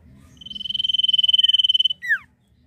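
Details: Common iora giving its "nyiul" song: a long, fast-trembling high whistle held about one and a half seconds, ending in a sharp falling slurred note, over faint low background hum.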